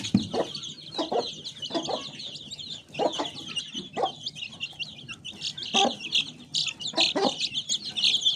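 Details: Mini chickens kept by their owner, giving short, low clucks in bursts roughly every second, sometimes doubled, over a steady high twittering chorus of small birds throughout.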